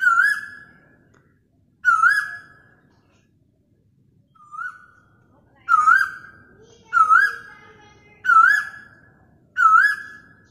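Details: Asian koel recorded on a mobile phone: clear whistled rising notes about a second long, repeated seven times at intervals of roughly one to two seconds.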